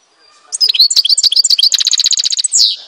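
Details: Algerian goldfinch from Tizi Ouzou pouring out a dense, high twittering phrase that runs into an evenly pulsed trill and ends on a bright rising note.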